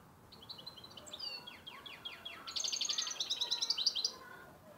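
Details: Young Carduelis parva × canary hybrid in 2014, still learning its song: a thin run of high whistled and chirped notes, then a faster buzzy twittering trill rising in loudness before fading, with steady background hiss.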